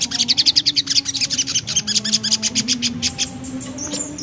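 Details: Sogok ontong, the Javan black-capped babbler, delivering a ngriwik song: a fast train of sharp, high, scratchy notes that slows and fades toward the end, with a faint low droning hum underneath.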